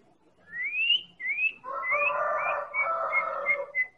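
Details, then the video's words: White-rumped shama of the Medan type, recorded as a lure to make other birds sing: clear whistled notes sliding upward, then a dense run of rich, buzzy repeated phrases with short rising whistles on top. "Real Pancingan Murai Batu Medan Super"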